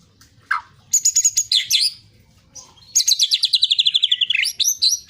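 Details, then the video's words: White-rumped shama song used as a lure to prompt other shamas to sing, intended for morning and evening; a short low slurred note, then sharp high whistles and a long rapid descending trill of repeated notes. "Pancingan murai batu untuk pagi dan sore hari"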